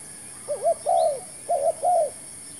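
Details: Spotted dove decoy in a trapping attempt, two loud cooing phrases, each a short double coo leading into a longer drawn coo, in quiet surroundings with a faint distant chirp.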